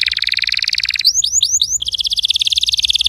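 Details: A canary sings a rapid, high, buzzy trill, breaks into a few quick swooping whistled notes, then returns to a fast rolling trill.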